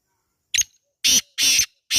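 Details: A wild black francolin recorded in a natural setting gives a harsh, grating call: one short, scratchy note, then three louder rasping notes about half a second apart.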